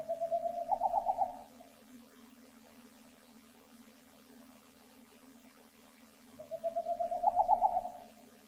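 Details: Boreal Owl calling close by at night on the first night of a 2021 owl survey at location 1.5, two birds believed present. Two bursts of rapid, even hoots run into a quick trill, each about a second long, separated by quiet.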